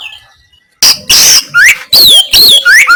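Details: Very close, loud Oriental magpie-robin giving rough 'kasaran' notes used to provoke opponents: after near silence, harsh rasping bursts alternate with sweeping whistles that rise and fall.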